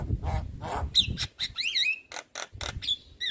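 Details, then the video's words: Javan myna (jalak kebo, white-eyed), a lure recording for lazy birds: harsh raspy bursts alternate with sharp rising and falling whistles, with low rumbling noise early on. "Pancingan Burung Jalak Malas Bunyi Rutin Kasi Pancingan Suara Jalak Kebo Mata Putih"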